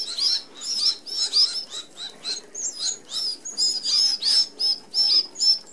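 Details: A feeding flock of red-browed finches at an open aviary feeder in Australia gives dense high chirps and piping notes, bursts repeating roughly three times a second, overlapping birds with a few longer thin whistles.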